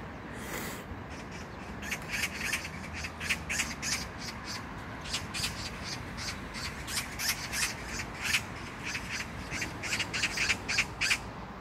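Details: Magpie at Jangdumot park in Seo-un-dong, Incheon, South Korea, June 19, 2022, chattering almost continuously: dry grating notes repeated about three times a second for over ten seconds, with a low rumble beneath.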